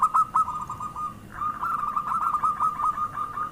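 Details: Zebra dove (perkutut) used as a lure voice: a few spaced coos, a brief pause, then a long even stream of quick, bubbling cooing notes.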